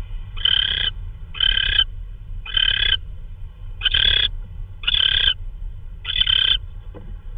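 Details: Owl delivering a hard-to-identify prey item, perhaps a vole, at 3:12 AM on 16 March 2013, filmed by a live camera. Six rasping, hissy screeches with bright upper tones, each about half a second long, repeated steadily, with a low hum beneath.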